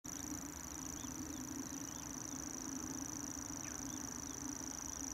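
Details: Common grasshopper warbler at pools near Sunderland, delivering an unbroken, very high, insect-like mechanical reel throughout, over a steady low hum, with a few faint chirps from other birds.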